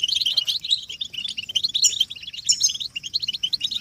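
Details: European goldfinch group song played to stimulate caged males; quick high tinkling twitters throughout, with faint background hiss below.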